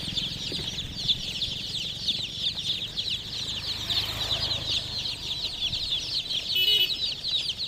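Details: Group of chicken chicks giving a continuous stream of shrill, rapid downward peeps, with faint low background hum throughout.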